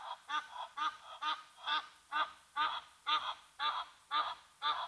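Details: Egyptian Geese upset by a Brown Hyena at the Gnu Pan waterhole, Mabula Game Lodge, South Africa; loud harsh honks repeated about twice a second in a steady series, each a buzzy nasal blast with paired notes.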